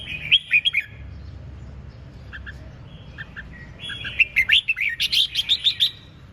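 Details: Red-whiskered bulbul in full song: rapid bursts of clear, warbling whistled notes in two phrases, the second a fast run of about ten bright notes, separated by softer buzzy trills; low background hum.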